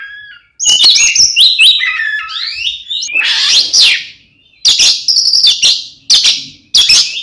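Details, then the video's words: Oriental magpie-robin fighting song for provoking other magpie-robins; a rapid run of varied whistles and chatters, a long harsh rasping phrase, then short loud bursts repeated about once a second. "SUARA BURUNG kacer gacor NGEPLONG TARUNG ini paling AMPUH buat PANCINGAN KACER agar EMOSI"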